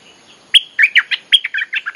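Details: Bulbul lure call for wild birds, delivered as a rapid, continuous string of about ten loud, gurgling, whistled notes with a bright liquid quality, in under two seconds.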